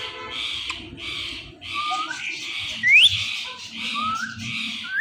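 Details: Indian ringneck parakeets, a kept male and female, calling in the morning: a steady run of grating buzzy screeches, about one per second, broken by quick upward-sweeping whistles.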